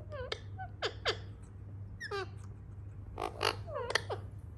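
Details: Indian ringneck parakeet calling for affection indoors: a run of short, sharp, falling chirps, given singly and in quick pairs, with a steady low hum underneath.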